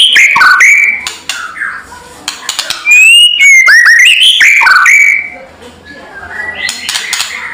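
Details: Loud kretekan of a white-rumped shama, used as a lure to rile other birds: bright whistled phrases that dip and rise, mixed with dry ticking clicks and harsh rattles, fading into softer notes near the end.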